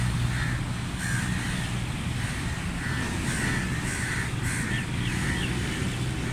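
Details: Harsh cawing from feeding crows, spaced single and paired calls across the recording, accompanied by a persistent low hum and rumble.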